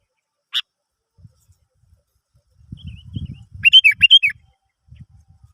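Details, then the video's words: Sooty-headed bulbul song meant to prompt other birds to sing: one sharp note, then a brief run of bubbly, wavering whistles over low rumbling background noise. "Pancingan Burung kutilang"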